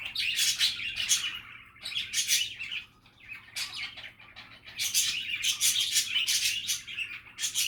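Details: Budgerigar chatter: bursts of buzzy, scratchy warbling and chirps in the upper range, coming in clusters with short pauses, several birds seemingly overlapping.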